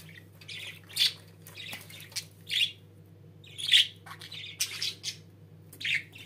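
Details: Pet budgerigars: separate bright, high chirps and short squawks spaced about a second apart, with quiet gaps and a faint low hum beneath.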